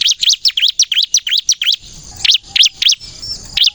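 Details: Ciblek kristal (bar-winged prinia) in lively 'gacor nembak' song, used as a lure to draw other prinias: rapid high V-shaped chirps in quick series, then a short pause and scattered further chirps.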